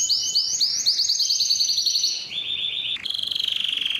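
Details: Yellow canary song made of trilled tours: a fast descending-note roll, then a lower rapid roll, then a buzzy high trill pulsing quickly.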